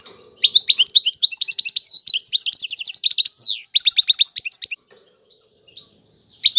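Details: A European goldfinch delivers a long unbroken run of its Tiwawati song, bright rapid twitters and trilled rolls with a swooping falling note near the end, then near silence with a faint final chirp.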